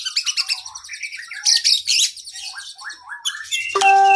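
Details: Kacer, the oriental magpie-robin, singing a long varied 'isian' master song for cage birds: quick chirps and slurred whistles, two loud buzzy bursts, then a steady tonal whistle held at the close.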